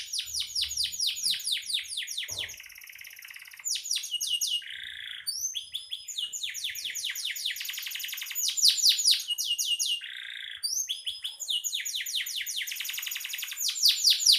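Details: Singing canary used as master song for songbirds: varied tours of rapid high sweeping notes, dry rattling trills and short buzzy blocks, repeated over fourteen seconds, with a brief low knock near the start.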